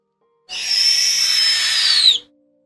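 A snowy owl gives one long, harsh, hissing screech lasting under two seconds, steady and high, dropping slightly at the end, with nothing else heard.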